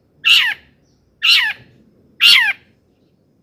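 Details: Long-tailed shrike harsh call used to provoke shrikes: rasping descending squawks, each about a third of a second long, repeated roughly once per second.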